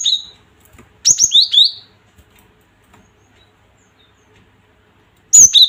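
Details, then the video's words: Provoking call of the cinereous tit, played to stir fighting spirit in other tits. A brief whistle pair, then a clicking phrase with three descending two-tone whistles, a quiet stretch, and a final burst. "Suara Gelatik ini bikin emosi gelatik batu Mental Petaraung"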